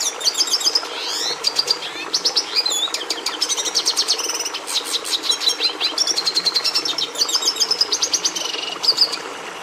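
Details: Red siskin, the species breeders used to add red pigmentation to domestic canaries, with a long lively song of rapid high chirps, buzzy trills and swooping slurred notes, phrases strung together continuously.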